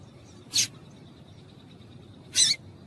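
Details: Female double-collared seedeater calling to stir a male into song: two loud, short, sharp high chips about two seconds apart over quiet background.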